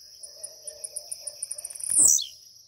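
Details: Blue-black grassquit, caged and waking, delivers one abrupt buzzy note that drops sharply in pitch, after an accelerating series of faint high clicks, with a steady high electronic-like whine throughout.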